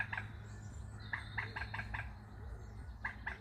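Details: Waterbird calling on a British canal or river, giving short, harsh, clipped notes in quick bursts, a pause, then two more notes, over a steady low engine rumble.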